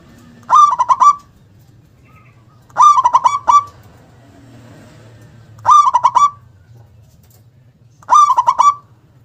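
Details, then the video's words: A local zebra dove in full song, described as big-voiced, powerful and loud with an abrupt 'KUNG' note. Four short bursts of rapid pulsed coos, spaced about every two and a half seconds, over a faint low hum. "perkutut lokal gacor suara besar nyentak KUNG power kencang"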